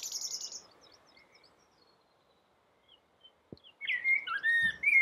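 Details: Rooftop song of a common blackbird: opens with the high, scratchy twitter ending a phrase, a quiet gap with a soft click, then a new mellow, fluty warble that slides up and down.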